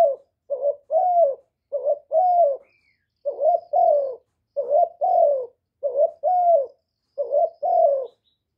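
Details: Decoy spotted dove giving calling, urging and cooing phrases to stimulate other doves, recorded with no background noise. Paired low hooting coos repeat steadily, a brief note then a drawn-out falling one, about six pairs in under nine seconds.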